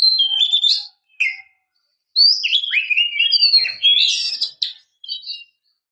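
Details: Female Oriental magpie-robin calling to lure males: a brief whistle with a buzzy trill and a short chirp, a pause, then a long flowing sequence of sliding, dipping whistles and scratchy notes, closing with a short twitter.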